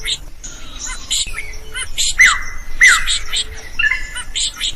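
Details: Lively drongo song for teaching other birds to sing: scattered scratchy chirps broken by two bright, sweeping downslurred whistles, then a soft chattering tail.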